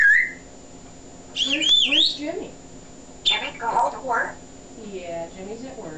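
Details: Chatty pet male African grey parrot talking indoors on a digital camera: a rising whistle, then looping whistled phrases and garbled speech-like sounds, followed by softer mumbled syllables, with a woman's voice nearby in a small room.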